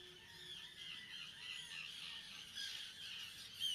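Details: Young common terns calling at Seaforth Local Nature Reserve in Liverpool, a colony of several hundred breeding pairs, on 31 August 2015; a steady wash of high, rasping squawks with a sharper cry near the end.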